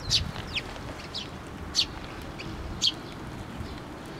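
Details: A few spaced, high chirps from sparrows coming to a post-mounted feeder at a Tenmangu shrine on 24 June 2023, with softer calls between and a low rumbling background.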